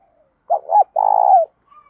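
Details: One spotted dove phrase, used for training and provoking doves, in the 'giọng đồng pha tí thổ' style: two short swelling hoots, then a steady purring coo lasting about half a second that slides down at its close.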